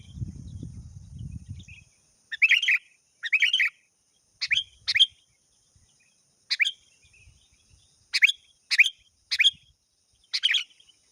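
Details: Vocal sooty-headed bulbul calling a rival, a lure call for training quiet birds: a low rumbling noise opens, then about ten crisp, clipped chirps come singly and in quick pairs, separated by short silences.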